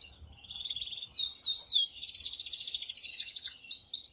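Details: Male canary singing vigorously to prompt a female to mate, looping upward-curving whistled notes followed by a fast rolling trill and more curved whistles.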